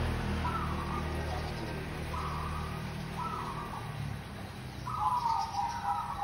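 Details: Zebra dove of a local strain, a lure bird, cooing in soft flat phrases spaced about a second apart, the last one richer and rippling, with a steady low hum of engine noise underneath.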